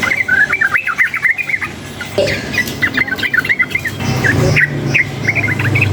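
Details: Sooty-headed bulbul (trucukan) stirred up by surrounding noise, delivering rapid chattering phrases of bright whistled notes in two long bursts, then scattered notes, against continuous low traffic rumble.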